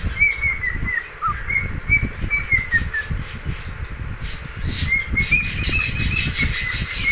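A cockatiel whistles a run of warbling notes over steady rumbling and fluttering noise.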